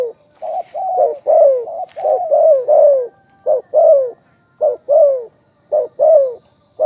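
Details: Spotted dove cooing steadily: many short, throaty coos in pairs, the second of each pair longer and drooping in pitch, repeated at a brisk, fairly even pace, with a faint tone in the background.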